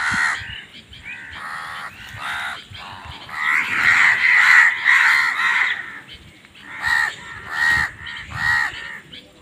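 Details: Crows caw repeatedly and overlap, building into a long, continuous, harsh cawing in the middle before breaking into separate caws again, during a fight over food.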